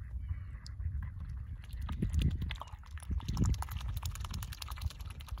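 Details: Male mute swan (cob) feeding on seeds and giving a territorial grunt: low, rough bursts near two and three and a half seconds over steady crackly pecking and clicking.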